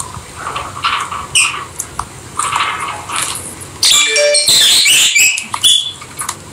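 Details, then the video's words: Pet rosy-faced lovebirds playing together with peach-faced lovebirds chatter in bursts of shrill, high squeaks and chirps, several in quick succession, over a low rustling background. "Lovely Lovebird Noise Peach faced Lovebird and Rosy faced Lovebird"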